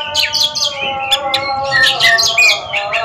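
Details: Short burst of competitive Oriental magpie-robin song: quick rising whistles and sharp chips follow one another rapidly, set against steady humming tones.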